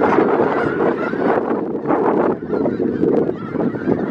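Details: Snow geese massed in a winter flock of some 5000 in south Grayson County, Texas, February 2018, calling together in a loud, ragged chorus of short nasal honks that swells and dips every second or so.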